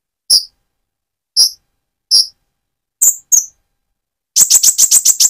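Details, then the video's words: Van Hasselt's sunbird in mottled plumage, moulting toward metallic feathers, calling lively to provoke and stir another sunbird; thin high chirps spaced about a second apart, two sharper slurred notes, then a fast burst of seven rapid chirps, with no other sounds. "Burung Konin trotol gacor untuk pancingan menaikan mental emosi kolibri ninja"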